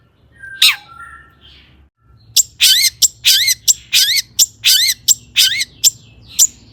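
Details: Long-tailed shrike singing as a lure to set other shrikes singing: an opening harsh note and low whistles, then a fast run of about a dozen sharp, buzzy chattering notes, each with a rising twist.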